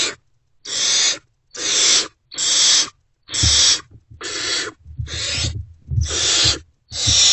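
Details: In the early morning of 3/3/24, hungry great horned owl owlets in a nest box respond to a returning adult. Nine rough hisses come roughly every 0.8 seconds, with soft low thuds and scuffling in the later part.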